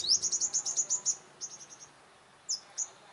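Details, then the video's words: Sunbird facing rival leader males at a trap: a fast run of about ten sharp, high chipping notes, a shorter softer series after a pause, then two isolated high notes, quiet background. "Bây chim hút mật 5màu đối đầu với những con " Đ.ầu đ.àn ""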